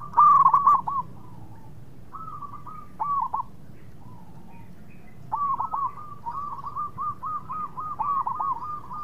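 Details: Local zebra dove singing hard, its voice meant to lure rival doves into answering quickly; a loud rolling coo, short broken phrases, then a long even stream of rapid, soft staccato cooing notes.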